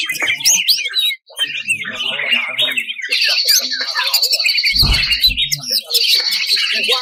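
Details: Greater green leafbird with a full, rough master song used to excite contest birds; a rich, rapid jumble of whistles, chatter and trills, with a thin high sustained trill in the middle and a brief low thump.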